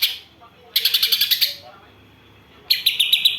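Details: Greater green leafbird song mixing in sparrow and kapas tembak imitations, heard as two loud bursts of fast, sharp, high-pitched chirping, each about eight to ten quick notes, with a pause of about a second between them.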